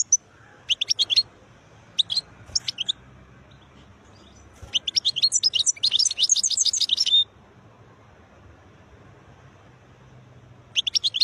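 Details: European goldfinch, described as wild, singing beautiful notes: short high twittering bursts, then a long rapid run of liquid, buzzy trills lasting about three seconds before a pause and a new phrase.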